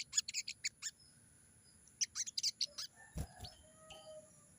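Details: Sogon singing vigorously in a wild, forest style, meant to provoke caught sogon to answer: two rapid bursts of sharp, clipped high notes, about eight per burst, followed by a dull thump and faint lower whistles.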